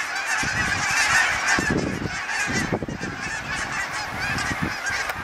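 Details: A flock of Canada geese flying south, recorded from a balcony, honks constantly with many overlapping nasal two-note calls at a fast, uneven pace over a low rumble of wind.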